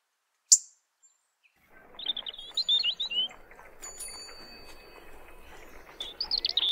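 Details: Robin (red breast) song: a sharp click, then high twittering, warbled phrases over a steady rushing background noise, with thin tonal whistles and a final trilled flourish.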